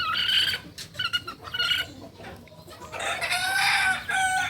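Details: Kukuak Balenggek chicken, a singing rooster breed native to Solok, known for tiered crowing heard especially at dawn; harsh, layered crowing bursts at the start and again in the second half, with noisy background.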